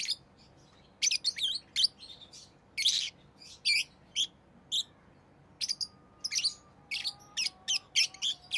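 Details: Rosy-faced lovebird chirping continuously in clusters of sharp, high squeaks, some harsh and buzzy, while faint low tonal whistles appear near the end.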